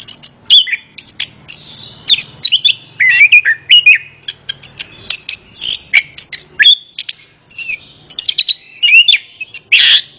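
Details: Orange-headed thrush singing, played as therapy to encourage a bird that will not sing: a long, busy stream of varied whistles, trills and sharp chirps, phrases tumbling one after another with few gaps.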